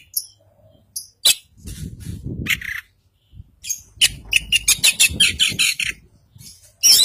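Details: Oriental magpie-robin of the Kacer Poci white-breasted type, East Java, in full isian song: scattered sharp notes, a pause, then a rapid chattering burst of high chips and a loud final note.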